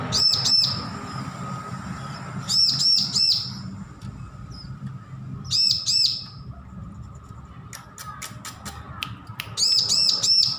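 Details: Young bar-winged prinia, just weaned, practising song: four clusters of two or three thin, arched, high-pitched chirps spaced several seconds apart. Scattered sharp clicks fall between them, with a low background hum throughout.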